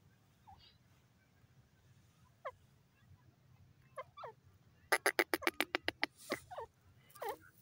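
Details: Francolin (teetar): faint scattered descending chirps give way to a loud, rapid run of about eight sharp clicking notes, then a few harsher calls, over a low steady background rumble.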